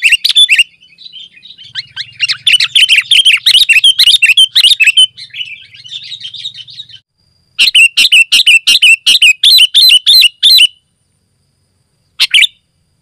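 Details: Sooty-headed bulbul (Pycnonotus aurigaster) in continuous, dense song: rapid, bubbling chirpy phrases, then a run of sharp repeated notes about three per second, ending after a pause with one last chirp. Used to call other bulbuls, lure wild forest birds, and tutor caged birds.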